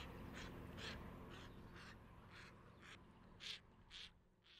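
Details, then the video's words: White-cheeked pintail uttering rapid, rasping, duck-like notes, about four each second, uneven in spacing, with two stronger notes near the end over a constant low background rumble. "White-cheeked Pintail"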